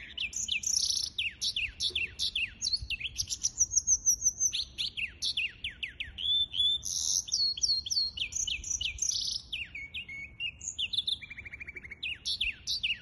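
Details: Long, varied outpouring from a singing hybrid finch, 23 April 2023: dense bursts of sharp chirps, buzzy rattles, a sustained high whistle and a closing low trill, loud and continuous throughout.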